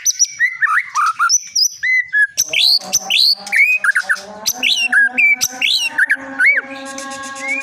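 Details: Prize-winning caged white-rumped shama of the Medan long-tailed variety, giving bold whistled phrases that swoop down and up, each repeated with small variations, ending in a harsh buzzy note.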